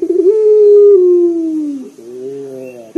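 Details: Sustained booming coo of a local collared dove, used to prompt other birds' song, held steady for well over a second and slowly falling, followed by a softer undulating murmur before the next phrase begins.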